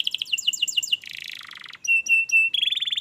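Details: Tutor recording of canary song to get a reluctant canary singing, with a rapid stuttering trill, a descending buzzy roll, clear flat whistles and a final quick rattle.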